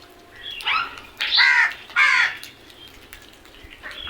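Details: Several crows together, three rough caws in quick succession around the middle, the last two strongest, with quieter calls trailing off.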